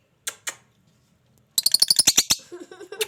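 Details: Pet lovebird, a parrot, uttering two sharp chirps, a pause, then a fast run of rapid harsh chattering notes followed by softer twittering.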